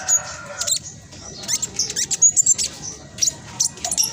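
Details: Black sunbird delivering brisk, closely spaced song to stir quiet caged birds: quick high chips and thin piercing whistles in uneven bursts, with a soft lower whistled tone early on.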